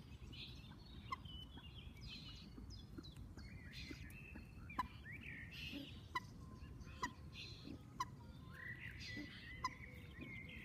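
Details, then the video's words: Common moorhen chicks give short, clipped peeps roughly once a second, mixed with higher, thin chirps over a steady low rumble of background noise. "Waterhoentje kuikens"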